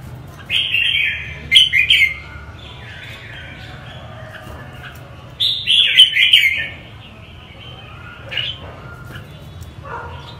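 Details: Northern-type red-whiskered bulbul singing: two bursts of bright, bubbly warbled phrases about five seconds apart, with a few short chirps between against a faint low hum.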